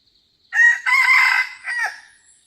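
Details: Wild red junglefowl crowing at a trap site with a decoy, three-part: a clipped first syllable, a drawn-out rasping central note, and a shorter dropping ending, with a faint high whistle afterwards.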